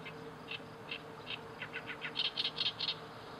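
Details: Oriental reed warbler song recorded on 31 May 2012, harsh croaking notes spaced about every half second, quickening into a loud series of grating, chattering syllables toward the end, with a low constant hum behind.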